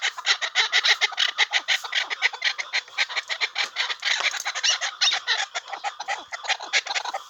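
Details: Tethered hunting chukar partridge calling: a rapid, continuous run of harsh, clucking chuk notes, many per second, loud and insistent throughout, with no other sounds standing out.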